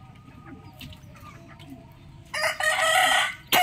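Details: Rooster crowing in the morning: after faint background birdsong, a loud, harsh, harmonic crow runs for about a second, then breaks off and a second crow begins abruptly at the end.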